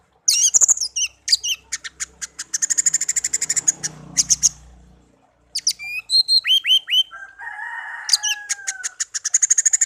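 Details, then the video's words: Songbird found in a garden and reared from young as a tame pet pours out fast repeated high notes in rattling series, upward-swept whistles and a low sustained whistle, with a faint background hum. "burung kicau peliharaan"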